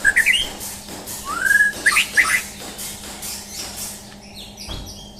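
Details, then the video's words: White-rumped shama, a champion murai batu under a mental test, gives quick whistled twitters, a smooth rising-falling slur and a couple of bright upward notes before fading to faint high chatter over a low hum. "Tes Mental Murai Batu Juara"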